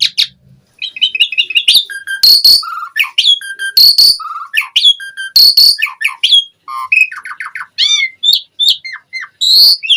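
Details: Asian pied starling in full 'isian' gacor song, used to prompt other starlings, pouring out a dense medley of metallic chips, clear mid whistles, harsh rasping bursts and rapid trills with almost no pauses.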